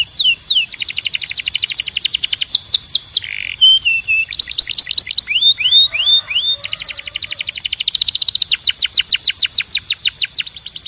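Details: Canary tutor song meant to teach young birds and encourage males to sing: steep repeated downslurred whistles in fast series, broken by rapid buzzy trills and a short low rolled phrase, continuing steadily throughout.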